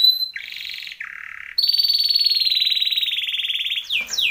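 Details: Training song from a Timbrado canary: a high note, two short buzzy trills at different pitches, then a long bright rolling trill lasting over two seconds, ending with quick falling sweeps.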